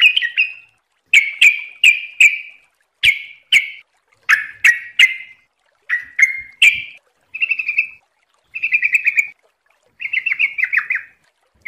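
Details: Yellow-vented bulbul (trucukan) singing in a lively, rapid style meant for training other birds: a series of short, bright chirps, some descending, then warbled, trilling phrases in the second half, with brief pauses between them and no other sounds.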